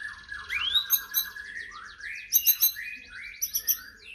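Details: White-rumped shama singing to provoke other shamas: a rising whistle over rapid buzzy trilled notes, followed by rolling, loud warbled phrases and sharp high accents in quick bursts.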